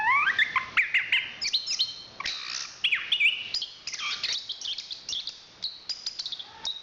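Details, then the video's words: National champion Chestnut-capped thrush delivering a rich, varied song: a rising slurred opening, then tumbling clusters of high whistles, chirps and quick sweeping notes, loudness pulsing phrase by phrase. "Suara Kicauan Burung Anis Kembang Juara Nasional"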